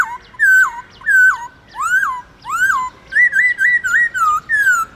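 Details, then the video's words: Black-throated laughingthrush singing in the wild 'forest voice' style, played to stimulate captive birds to sing: loud clear whistled phrases, some slurred down, others looping up, then a quick run of repeated rising-falling notes. "Khướu Hót giọng rừng kích khướu bổi,luyện khướu bổi hót nhanh căng lửa"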